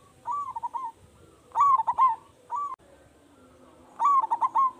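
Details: Zebra dove of local type, an eager singer with a strong voice, used to draw replies from other doves: four staccato, bubbling coo phrases alternating between soft and loud, quiet surroundings.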